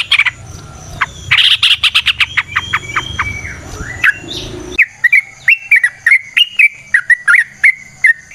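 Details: Wild yellow-vented bulbul with a long, lively song, played to draw other bulbuls into singing. Opens with scratchy rapid notes, then a run of short, clear, bubbling whistles that rise and fall, about three every second.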